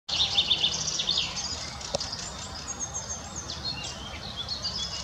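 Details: A young Fieldfare in Munich Botanical Garden on 21 May 2018 gives high, thin, squeaky notes in quick, uneven bursts that fade into softer twittering, over a low rural hum.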